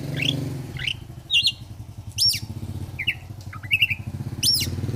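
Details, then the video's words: Oriental magpie-robin song in ngobra fighter style, sharp rising chirps and short whistled twists heard over a steady loud engine drone from passing vehicles. "Kacer gacor fighter//ngobra Joss//terapi untuk Kacer susah bunyi"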